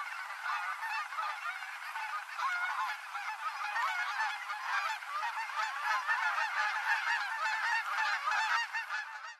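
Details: Canada geese making full-flap landings on the Rogue River in Oregon at the end of the day; a loud, dense clamour of rapid nasal honks from many birds builds and holds before stopping abruptly.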